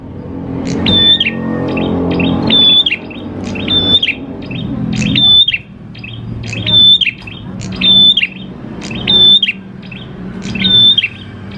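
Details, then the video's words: Steadily singing grey prinia (prenjak klawu) used as a lure for other prinias: eight near-identical phrases, each a pure high whistle with a downward hook, spaced about 1.3 seconds apart, over a murmuring low background. "PANCINGAN PRENJAK KLAWU GACOR, NGALUN BIKIN PRENJAK CEPAT BUNYI"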